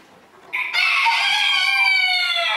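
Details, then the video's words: A rooster at a 2022 crowing contest in Villers-la-Ville, held by a local small-livestock breeders' club, gives one long, loud crow. It starts abruptly after a quiet moment and is held steady and rich in harmonics to the end. "Chants du coq 2022"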